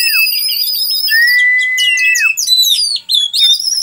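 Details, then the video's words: Oriental magpie-robin song for use as a tutor recording: a long pure steady whistle, then a rapid series of sharp descending and rising notes ending in clear whistles. "Burung Kacer Gacor untuk Masteran"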